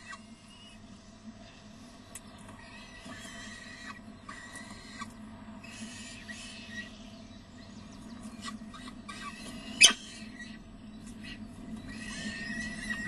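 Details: Peregrine falcons at a nest in De Mortel, morning of 6 May 2009: the male brings prey and the young are fed. Scattered high, thin squeals come in short bursts over a constant low hum, with one sharp knock.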